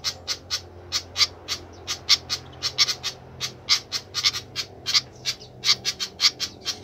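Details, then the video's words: Noisy flycatcher giving a rapid series of short, sharp, high chipping notes, several per second, irregularly spaced, with a faint low hum underneath. "ADA APA DENGAN BURUNG SIKATAN INI KOK RIBUT"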